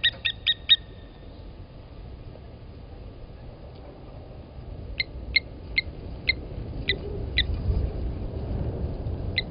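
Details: Blacksmith lapwings at Gowrie dam waterhole, Djuma Game Reserve, Sabi Sand, South Africa, 15:07 on 27 Aug 2020, defend their nest as an impala approaches: sharp metallic 'tink' alarm notes, a burst of four, a pause, then about two per second, over wind.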